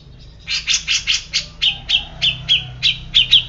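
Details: Grey-cheeked bulbul delivering a regular series of about a dozen husky, rasping notes, around three per second, the later ones carrying a short, bright whistled flick.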